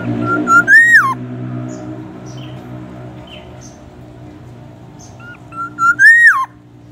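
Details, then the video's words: Black-naped oriole repeating the same loud whistled phrase twice, about five seconds apart: a steady tone climbing into an arched, falling slur, with faint chirps between. Its song reportedly includes White-rumped Shama and ambulance siren imitations. "Kepodang emas gacor bongkar isian murai batu dan suara ambulance"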